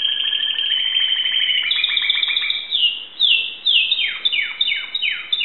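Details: Timbrado canary from Greece delivering a steady rattling roll, then a sequence of clear whistles each sliding sharply downward, repeated about twice a second.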